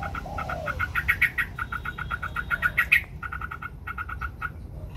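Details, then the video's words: White Chinese hwamei singing in competition while spreading its wings: rapid series of bright, harmonic-rich repeated notes with short pauses, plus a soft lower note near the start. "Hoành hoạch trắng hót đấu xòa cánh"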